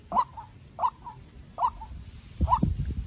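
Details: White-breasted waterhen decoy, young and farm-bred, answering a wild bird: three strong harsh notes, each trailed by a short lower note, then a final call masked by low rustling noise.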